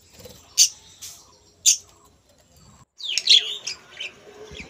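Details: Budgerigars kept in a breeding colony where eggs have been laid: three isolated sharp chirps about a second apart, then a denser burst of warbling, squawky chatter from several birds.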